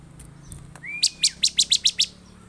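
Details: Bar-winged prinia, agitated song used to provoke other prinias: a long thin level whistle followed by seven evenly spaced sharp high chips.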